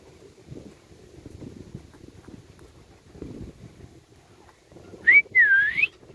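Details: Rose-ringed parakeet in a tree: two clear whistled notes near the end, the first rising sharply, the second a long wavering swoop, after several seconds of quiet low rumbling background.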